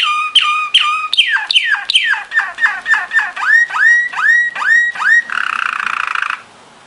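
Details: Belgian Waterslager song canary in training song: a series of separate notes sliding sharply down, then rising upward-curving whistles like dripping water, ending in a short fast bubbling roll.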